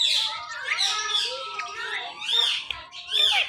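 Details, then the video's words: Pet Indian ringneck parakeets, a male and female couple, vocalizing in the morning. Harsh screechy squawks and drawn-out wavering harmonic notes, with loud bursts at the start and near the end. "Ringneck Parrot Making Natural Sounds and Voices"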